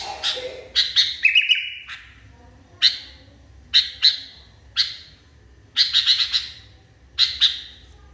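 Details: Sooty-headed bulbul (kutilang) calling in a fierce, raging state: harsh, bright chirps in short bursts and clusters, with pauses of about a second between them and several quick notes bunched together, over a quiet background.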